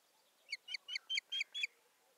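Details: Osprey at a nest in Satakunta, Finland, filmed 7 May 2019 as the male brings a twig and busies himself; six sharp, piping whistled notes, each slurring downward, given in a steady run roughly every fifth of a second, with light background noise.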